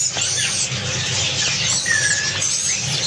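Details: Java sparrow pair from Malaysia, kept tame, calling with sharp high chirps, looping whistled notes and one lower drawn-out whistle, with a steady low hum behind.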